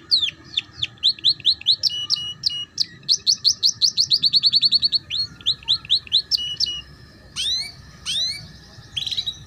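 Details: Canary song meant to teach young birds the ngeriwik style: long runs of rapid, regular chips and trills for several seconds, then a few spaced descending whistled slurs.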